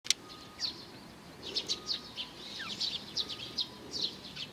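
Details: Eurasian tree sparrows coming to be fed at a bridge, recorded on 4 June 2020: scattered short high chirps from several birds, irregular and overlapping, over a soft background hiss.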